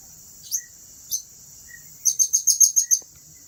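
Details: Blue-crowned hanging parrot at Turipos, Tenom: two lone shrill high notes, then a quick run of seven sharp, piercing chirps, all over a steady high insect drone.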